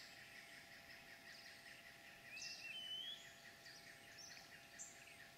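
A few brief, rising chirps from a chestnut-headed bee-eater come in mid-clip, set against a steady, high buzzing insect chorus.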